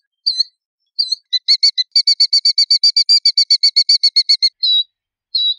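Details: Killdeer: two shrill notes, then a long rapid rattling trill of some twenty fast, high notes lasting about three seconds, closing with drawn-out piercing calls.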